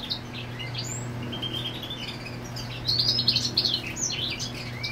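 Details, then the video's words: Goldfinch marking its territory, female on the nest, with scattered thin high notes at first, then a louder rapid silvery twittering burst in the second half, over a low continuous hum. "Jilguero Marcando Territorio con Hembra en el Nido"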